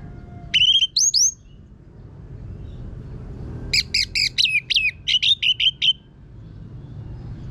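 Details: Orange-headed thrush singing loudly in a harsh style used as a lure to get other birds singing: two sharp chirps, a pause, then a fast string of about a dozen clipped, buzzy whistled notes.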